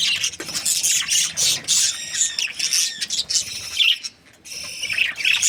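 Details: Budgerigar breeding pairs chirp together in a busy, overlapping stream of shrill squawks, rapid twittering and short whistled notes, dropping to a near-silent gap around four seconds before resuming.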